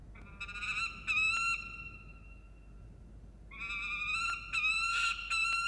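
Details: Peregrine falcon at a nest camera in Orange, New South Wales, 26 June 2021, over food: drawn-out harsh wailing calls with strong harmonics, one long cry, a pause, then another rising, sustained cry with short clicks over low background hiss.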